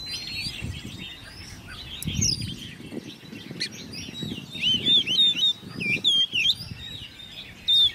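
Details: Caged hand-raised Oriental magpie-robin, ten months old, singing in competition; loud clear whistled notes in the second half, each rising and falling, mixed with thinner background chirps and low rustling.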